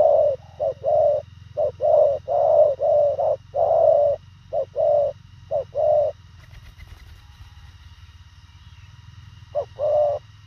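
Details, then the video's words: Thổ khàng spotted dove cooing fast and concisely: a quick string of low mellow coos for six seconds, then a pause with only a background hum, and a final short pair of coos near the end. "Thổ khàng tốc độ gù bá cháy, ngắn gọn xúc tích"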